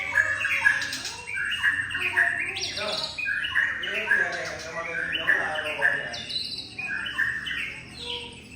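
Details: Young male white-rumped shama from Sabang, standing with chest upright and threatening a rival, sings a rich, nearly continuous run of varied whistled and chattering phrases, with clear mid-pitched notes, occasional high thin sweeps and a faint low murmur behind.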